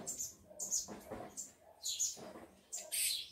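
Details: Captive tico-tico (rufous-collared sparrow) males and females, kept to excite other birds: short, high chirps in irregular bursts, with a steady lower pulsing sound repeating in the background.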